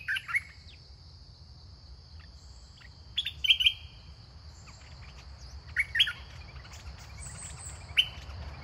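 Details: Red-whiskered bulbul kept in a cage as a decoy, singing to draw in wild birds. Short, sharp whistled phrases of two or three notes come in four bursts spaced a few seconds apart, over a constant thin whine and low background hum.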